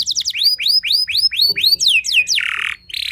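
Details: Singing canary whose song is said to provoke rival canaries: about ten rising whistled slurs in quick succession, then several steep downward sweeps, ending in rough buzzy notes.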